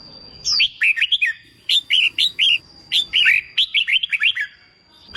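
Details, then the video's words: Red-whiskered bulbul being trained for contest singing after capture from the wild, repeating brisk clusters of short wavy whistles in four quick phrases over a faint steady high hum. "Kích bổi nghe là hót, luyện chim hót đấu, luyện chào mào bổi sổ giọng"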